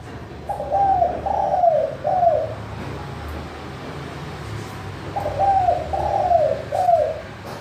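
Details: Spotted dove with a clear crystal manggung call, used as a lure for doves that will not call: two matching three-note phrases of husky coos with falling ends, about four seconds apart.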